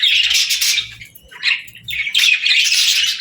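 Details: Parakeets singing and talking as they play: three bursts of shrill, rapid chirping separated by brief quieter dips.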